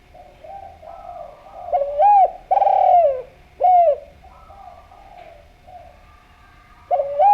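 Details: Spotted dove from Java, a keen caller used as a calling lure: a run of three mellow, bending coos from about 1.7 to 4 seconds, another starting near 7 seconds, with soft tonal background notes.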